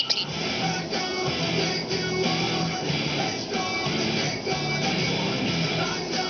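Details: Strummed electric guitar rock music playing throughout, and no animal voice heard.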